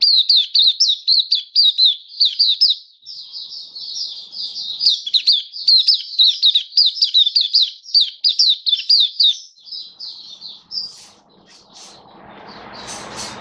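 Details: Oriental white-eye (Mata Puteh, Kitaro type), a kept songbird recorded 27 October 2022, delivering a long rapid stream of high, sharp chirps for about ten seconds, then fading into rustling and clattering noise.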